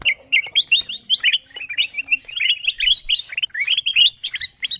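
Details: Kutilang emas bulbul lure sound used to draw wild birds down: a dense run of short, sharp chirps and rising whistled notes, rapidly repeated throughout.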